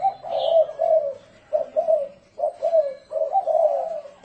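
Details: Spotted dove decoy call in 'thổ rền' style for luring doves: slightly muffled, rolling low coos in uneven groups, with faint higher background chirps.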